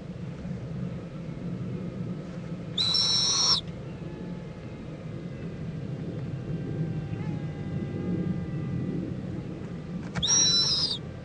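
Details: Owl nest in Indiantown, Florida, 11:45 AM, 26 February 2014, with the mother joining her owlet for preening: two separate rasping hisses, each under a second and about seven seconds apart, above constant low background rumble.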